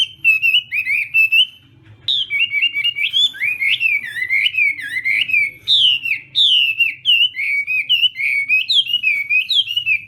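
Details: Chinese hwamei rehearsing its song in the morning: long runs of loud, varied whistled notes, some falling, some looping, with a short quiet gap before the bird resumes more vigorously.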